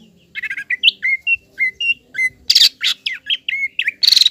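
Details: Green leafbird singing loudly to provoke and excite a juvenile speckled leafbird into fighting spirit. A series of clear whistled notes, mostly even and repeated about twice a second, broken by two loud harsh rasping bursts.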